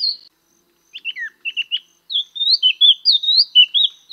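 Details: Chestnut-eared laughingthrush giving a series of short clear whistled notes after a brief pause, then a faster run of rising and falling warbled phrases in a quiet setting.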